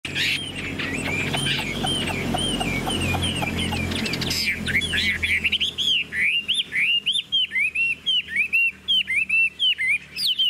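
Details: Caged golden-billed Chinese hwamei, tame in its carried cage, tail fanned, singing in the long, high-pitched ngũ trường style: clear whistled notes that curve up and down, repeated in quick bursts, with a busier jumble of sound early on.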